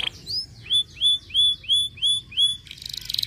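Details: Canary of the 'pocong losdol' type repeating a clear, rising-then-level whistled note six times at even intervals of about a third of a second, ending in a harsh rapid buzz.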